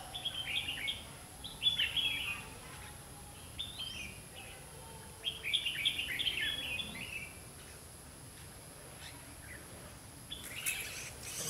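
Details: Trapping scene with a Red-whiskered bulbul decoy singing competitively to draw in wild birds; quick chirpy warbled phrases repeated in clusters every few seconds, some upward-sweeping notes, a sharp clatter near the end.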